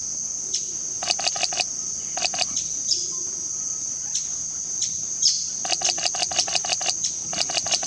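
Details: Fiery topaz (Topaza pyra) near Tena in the Ecuadorian Amazon, giving bursts of dry, rapid ticking chips, several notes per second in short runs, over a steady high insect drone.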